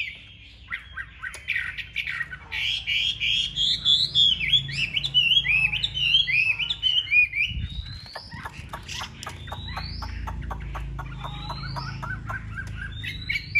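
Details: Large-bodied caged Chinese hwamei, a fighting-display bird, sings rich rolling whistled phrases that then settle into a string of short rising whistles, with scattered clicks and low background rumble.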